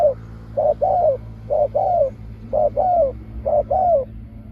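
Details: Decoy spotted dove used to lure wild doves, giving the sharp call style known locally as pak khruen: a quick two-part coo followed by a longer falling note, repeated about once a second over a low hum.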